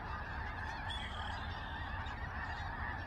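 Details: A big gathering of snow geese, Skagit, October 2023: steady overlapping honking from many birds, with low rumbling noise throughout and a brief higher tone near the first second.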